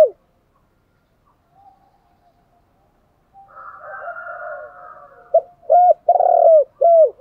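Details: Decoy spotted dove calling to stir wild doves into cooing back; after a quiet start with a faint far coo, a loud three-note phrase of low, hollow, falling coos closes the recording, with a lingering reverberant tail.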